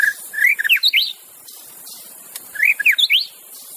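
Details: White-rumped shama singing in the wild, plain song without imitated fill-ins, used to coax silent shamas into song: two rich phrases of fast rising and falling whistles and slurred notes, separated by a pause of over a second.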